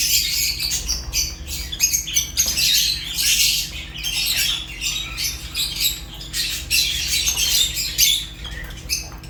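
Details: A flock of African lovebirds including Fischer's keeps up rapid, piercing chirps and harsh squawks, overlapping in irregular bursts throughout, with a low background hum.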